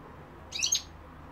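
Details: European goldfinch from a recording labelled London and Algeria, giving a brief high chirpy twitter of a few quick notes over a steady low background hum.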